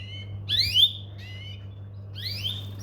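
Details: Domestic canary giving three clear whistled call notes, each sweeping upward, the first pair close together, then a pause before a final rising note, over a steady low indoor hum.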